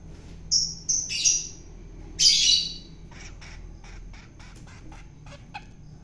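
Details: A wild-caught long-tailed shrike, hand-fed for taming, utters two short harsh squawks followed by a longer grating screech, then faint clicks against a steady high whine.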